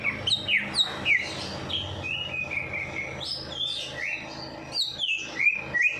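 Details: Bird song used to get a lazy bird singing after its night bath; fast, varied whistled phrases with sharp downslurred notes and short trills, delivered in quick bursts.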